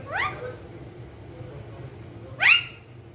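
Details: Pet rose-ringed parakeet, described as talking, gives two short harsh squawks that sweep sharply upward, one at the start and one near the end, separated by a quiet stretch with low steady background hum.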